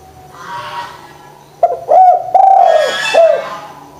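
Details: Spotted dove coo meant to stir lazy doves into calling: a rough, stuttering phrase of short notes and a long sliding coo, with a hissing rustle in the background.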